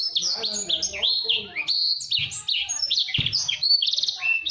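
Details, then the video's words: Blacksang, a hybrid of blackthroat and sanger, singing fast and densely as a master song for training canaries: rapid high warbled phrases, sliding whistles and trills packed closely, with faint low rumbling beneath. "Blacksang gacor speed rapat || masteran ampuh burung kenari"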